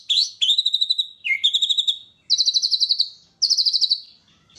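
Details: Caged oriental magpie-robin, kept as a songbird in Indonesia, singing; clear whistled phrases, each a sliding note followed by a rapid rattling trill of repeated notes, five phrases about one second apart.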